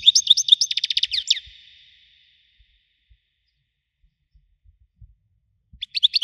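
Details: Wedani goldfinch with a strong voice delivers a quick, high tinkling twitter ending in a buzzy trill, then falls silent before a brief new burst of chirps starts.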